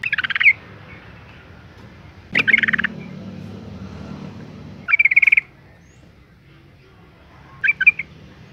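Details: Breeding-condition female Yellow-vented Bulbul summoning males with four brief, bright chattering bursts spaced roughly two to three seconds apart over a quiet background.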